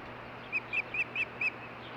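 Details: Osprey pair at their nest in Hellgate Canyon, Missoula, Montana, 14 June 2015; five short high chirped whistles spaced about a quarter second apart over steady background hiss and hum.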